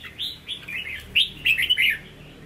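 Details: A caged red-whiskered bulbul sings a quick Hue-style phrase: several clear, slurred whistles climbing into a brighter, louder warbled flourish within two seconds.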